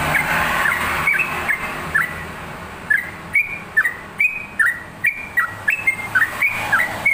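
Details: Yellow-vented bulbul song opens in a dense jumble of notes, then settles into evenly spaced whistled phrases, each a falling dip with a bright upward ending, repeated about every two-thirds of a second.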